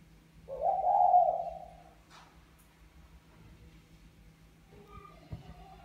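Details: Male spotted dove of the Mã Phấn type calling to court a Bài Lối female: one low, smooth coo of about one and a half seconds, slightly falling, then a brief click and faint scattered background sounds.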